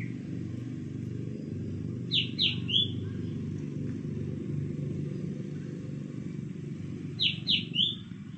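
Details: A red junglefowl being trained to crow in a cage gives two short, clipped crows about five seconds apart, each a quick run of three high notes with the last drawn out, over a steady low engine rumble.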